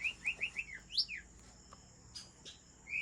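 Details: White-rumped shama from Aceh, an original breeding bird from Lamteuba, singing a series of five quick downslurred whistles followed by a higher swooping note, then quiet with a few faint clicks and a closing whistle.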